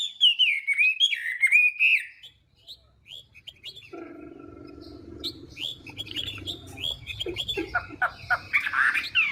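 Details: Chinese hwamei morning song for voice training: loud sliding whistles for two seconds, then a quieter stretch with scattered short notes over a steady low hum, ending in a louder warbled burst.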